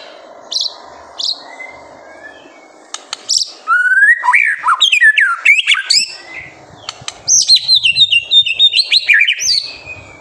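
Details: Master song of a white-rumped shama, meant to make young birds sing: a few high chips and clicks, then long bouts of loud, varied whistles that leap and slur, ending in high, quick notes.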